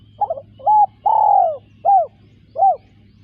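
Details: Spotted dove cooing phrase. It opens with two quick stuttered notes, then a short flat coo, a long drawn-out coo falling at the end, and two short arched coos. A faint low hum lies beneath.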